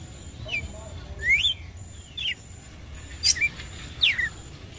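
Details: Red-cowled cardinal calling to provoke a male: a handful of sharp, clear chirps sliding down and up, spaced irregularly about a second apart, over a soft low background hum.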